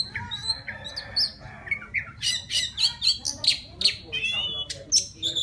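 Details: Wild white-rumped shama calling a female with song: a lively run of loud, sharp whistled notes and quick chirps in rapid succession, high and ringing, with scratchy trills between phrases.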